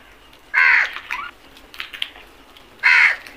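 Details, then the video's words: Crows mobbing food in a flock: two loud, drawn-out harsh caws about two seconds apart, with shorter calls between them. "Flock of crows attack on food beautiful video | Beautiful crows sounds"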